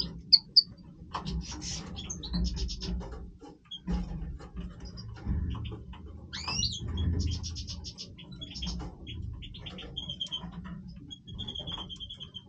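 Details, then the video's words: Major European goldfinch singing in breeding voice: scattered twittering and trilled phrases with one rising-falling slurred note, fairly soft, against a persistent low hum. "Stieglitz Major Breeding Voice - singing Goldfinch"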